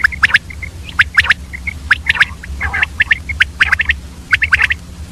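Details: Female common quail calling in the early morning with short, sharp, chirping notes in quick uneven bursts, about one a second, over a low steady hum.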